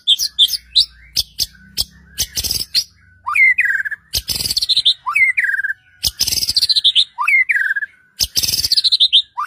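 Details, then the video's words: Song of a white-rumped shama for provoking other shamas: sharp clicks and chips, then repeated rising whistled upslurs with held notes and harsh buzzy high bursts, cycling several times. "murai batu gacor AMPUH untuk PANCINGAN murai batu agar bunyi JADIKAN burung murai gacor EMOSI NYAUT"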